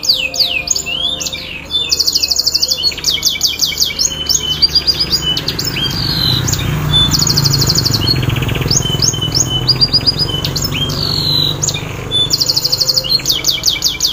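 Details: Canary singing to prompt a silent bird to sing: long, varied high-pitched song of rapid trills, rattling rolls and swooping whistles, nearly continuous, with a faint low background rumble.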